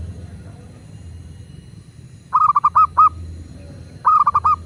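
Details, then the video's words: Local Indonesian zebra dove, used as a master recording to prompt doves to sing: after quiet, two bursts of rapid stuttered notes, each ending in a longer held note, over faint low hum. "Perkutut lokal gacor"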